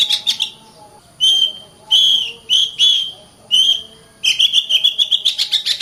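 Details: Oriental magpie-robin (kacer) singing to stir lazy birds into song and combat: scratchy opening notes, then four separate clear whistled phrases about once a second, closing with a rapid buzzy rattling run.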